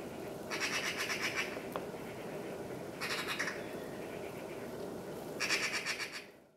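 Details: A great spotted woodpecker in the botanical garden, Almaty, Kazakhstan, on 1 March 2014 gives three rapid, rattling bursts about two seconds apart, each under a second, over a steady low background rumble.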